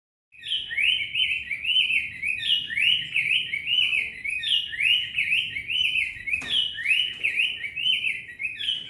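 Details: Cinnamon tanager singing a lot: loud, continuous warbled song of rapid rising and falling slurred notes, phrases run together almost without pause, with one brief sharp knock partway through.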